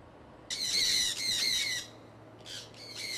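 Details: Pet conures in a flock flying outdoors in Iowa in early spring 2003: a long harsh screeching squawk, then a second shorter rasping squawk after a pause, over a low steady hum.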